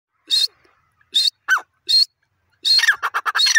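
A francolin gives loud, harsh, shrill notes: four spaced calls, then a quick grating run of several more. No other sounds are heard.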